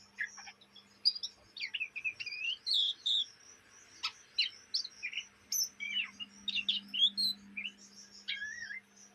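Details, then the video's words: Young Oriental magpie-robin, kept as a caged bird in Indonesia, chattering in its practice song day and night: a rapid jumble of varied whistled and scratchy notes, short twisting phrases delivered in quick bursts with brief pauses. "kacer bahan ngriwik siang malam"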